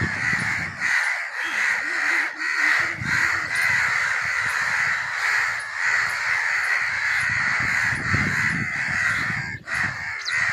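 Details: Crows cawing together in a dense, continuous flock chorus, harsh overlapping caws running without pause throughout, used to attract other crows.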